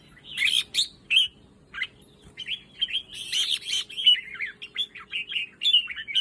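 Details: Song of a red-whiskered bulbul from a breeder's stock. A few scattered chirps come first, then a lively run of warbling, whistled phrases that rise and fall over a constant low electrical hum.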